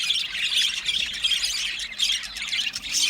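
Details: Budgerigar chatter: quick high chirps and thin whistled notes repeated over a scratchy warbling bed, pulsing in loudness every half second or so.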